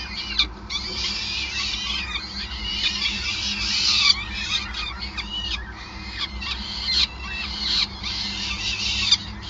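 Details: Feeding at a peregrine falcon nest in Groningen, 5 May 2020; streams of piercing squealing calls with short breaks and occasional sharp knocks over a background hum.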